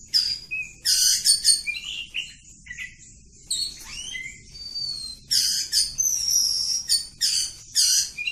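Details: Village-type oriental magpie-robin singing a long, continuous song: bursts of high, buzzy, scratchy phrases mixed with clear whistled slurs, some rising and some falling, separated by short pauses. No other clear sounds.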